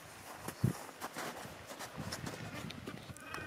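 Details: Chinstrap penguins in their colony at Orne Harbour, Antarctica, in January 2023, braying like donkeys. Rough, broadband pulsed calls rise over steady colony noise, with one sharp low thump near the start.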